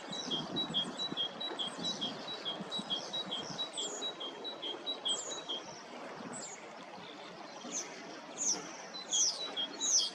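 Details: Bohemian waxwings in Hrodna city, western Belarus, on 18 March 2026 in spring, during what is believed to be lekking while spreading mistletoe: thin, high, sibilant trilled calls from many overlapping birds over a steady rush of wind or distant traffic.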